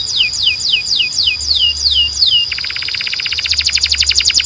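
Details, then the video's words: A Belgian canary sings a tour of about eight high, falling whistles, each sweeping downward, then breaks into a fast buzzy trill, with a steady high tone and a faint low hum underneath. "Belgian Canary Calls All The Canaries to Sing"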